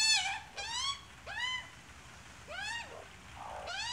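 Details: Australian magpie, adult with chick: loud, clear arched calls, each swelling up then dropping away, given in spaced bursts about once a second, with faint softer lower notes between them.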